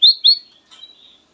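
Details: Black-naped oriole (kutilang emas) song: two strong high whistles in fast succession, followed by a softer, fading whistled tail.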